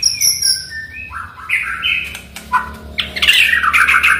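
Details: Oriental magpie-robin singing to prompt a silent bird: high whistled notes give way to varied slurred phrases, then a fast, bubbling series of bright warbles at the end.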